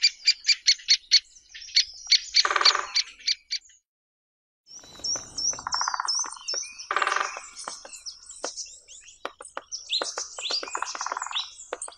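Great spotted woodpecker giving sharp, high 'kik' notes in quick bursts. Other small birds twitter and chirp throughout, and there is a brief silent break.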